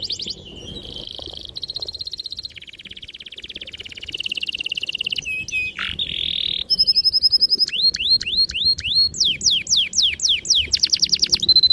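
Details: Canary singing to train young canaries: buzzy rolled trills at several pitches give way to sharp repeated downslurred whistles and fast high chirping runs.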